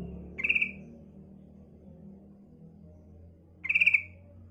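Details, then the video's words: Female sooty-headed bulbul calling to attract males, giving two short, rapid stuttering bursts about three seconds apart over a faint low hum. "suara panggilan trucukan betina AMPUH untuk pancingan trucuk bakalan"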